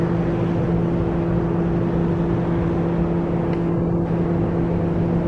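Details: Continuous motor drone with a low rumble and two steady humming tones throughout; no animal voices.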